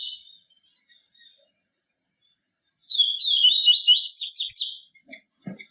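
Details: Song of the yellow-bellied seedeater for encouraging captive birds: a faint high note, a silent pause, then a two-second burst of fast, chattering high trills and a couple of short low clicks.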